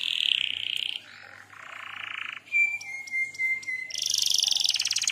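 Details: Canary singing a lure and master-training song for other canaries: a buzzy trill, then low nasal rolls, a long thin whistled note, and a fast rattling trill to finish, over a faint low hum.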